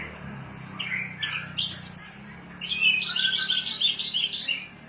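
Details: Javan bush lark from Cilacap, a kept bird in taming, singing in the cing ciu style: varied bright chirps and short buzzy trills, one high whistled note, then a busy run of rapid twittering notes, with a low hum underneath.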